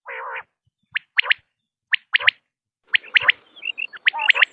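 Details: A rough low nasal buzz opens, followed by sharp three-note common quail phrases about once a second, with soft pips and faint background hiss toward the end.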